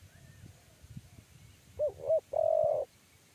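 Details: Spotted dove of the 'kuk 3' type, being trapped and climbing into a trap cage. One clear coo phrase: two short hooked notes, then a sustained level note. Faint low rustling comes first.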